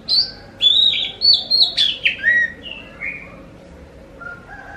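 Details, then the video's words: Oriental magpie-robin (kacer) song used to prompt other magpie-robins to reply: a bright high whistled note, then a series of piercing whistles and a downward slur, trailing into soft lower tones. "Pancing burung Kacer anda dengan suara burung ini"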